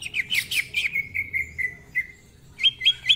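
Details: Greater green leafbird gives a quick burst of bright chips, then a string of even whistled notes fading away, and after a short pause a few high sharp phrases.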